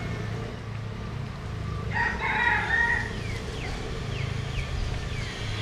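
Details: Crossbred bantam cockerel of Japanese and Cuban lines gives one moderately loud, wavering crow lasting about a second, over steady low background rumble.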